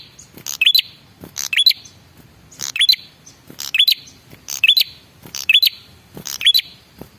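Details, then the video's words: Lure call of a male red-headed prinia, meant to make other birds reply. Clusters of piercing, high ticking chirps with a brief upslurred whistle, repeating roughly every second. Background is otherwise calm. "suara pancingan burung prenjak kepala merah jantan"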